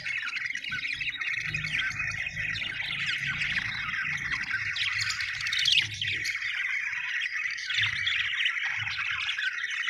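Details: Budgies chirp happily in unbroken, scratchy warbling chatter with occasional sharper squawks, over a faint low hum.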